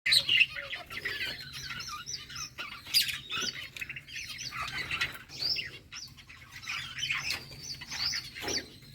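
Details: Budgerigars in a breeding colony in summer, playing and chirping: scattered warbled chirps and squawks in bursts, with a steady low hum underneath.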